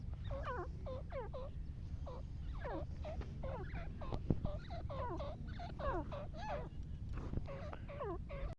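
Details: Wild black francolin; rapid bursts of grating, down-slurred notes in quick clusters, repeated through the recording over steady low background rumble.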